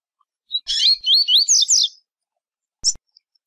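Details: Tui Tui style song of a Double-collared seedeater: a short introductory note leads into a rapid run of wavy, slurred whistles, each rising then dipping, over roughly one second, followed later by a lone sharp high chip.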